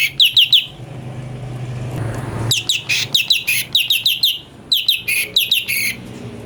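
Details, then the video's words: Cucak cungko (brown-breasted bulbul) song for tutoring magpie-robins: quick trills of sharp chirps in grouped bursts, a brief low-noise pause, then further rapid, buzzy chirped phrases. "CUCAK CUNGKO||fariasi suara cungko buat masteran murai"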